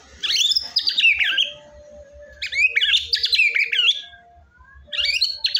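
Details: Murai batu, the white-rumped shama, in energetic song meant to stir a quiet bird to sing: three loud bursts of tumbling, buzzy, rapidly modulated phrases, each lasting about a second, with softer low notes between.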